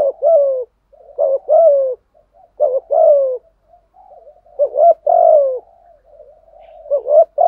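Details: Decoy spotted dove calling to lure wild doves, using 'gù' and 'thúc' phrases. Repeated deep double coos, each with a short pickup note and a longer descending tone, broken by quiet gurgling interludes.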